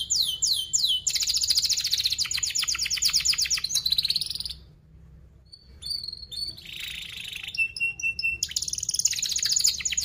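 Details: Training song for young canaries: fast downward-sweeping chirps merging into a dense buzzy roll, a brief silence, then scattered whistles and another rapid trill.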